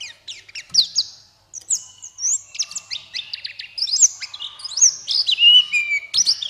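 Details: Buxtoni white-eye singing to stimulate other white-eyes: a fairly soft, continuous stream of high, thin, swooping chirps and short trills with brief pauses.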